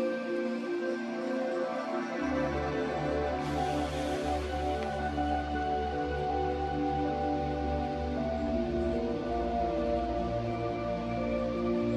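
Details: Soft ambient music with sustained tones plays throughout, and no animal sound can be picked out.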